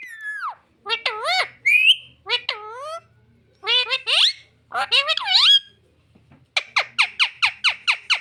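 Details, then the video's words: Pet parrot talking, mimicking the words "mummy papa": swooping, voice-like squawked syllables in short phrases, then a quick run of repeated sharp whistled notes. "मम्मी पापा बोलने वाला तोता taking parrot"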